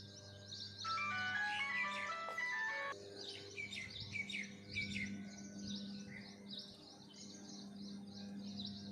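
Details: Birds chirping and twittering in short, rapid, high-pitched notes repeated almost three times a second, several voices overlapping; a sustained ringing harmonic tone sounds briefly near the start, over a steady low electrical hum throughout.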